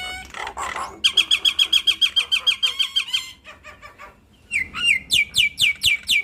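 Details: Nias hill myna singing loudly and freely through its learned repertoire. A fast train of sharp, harmonic, clipped notes repeats about four times a second, followed after a short gap by looping, downward-swooping whistled notes.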